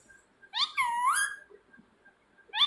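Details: Rose-ringed parakeet lets out a strained, wavering screech that dips and then rises. A second call starts at the very end.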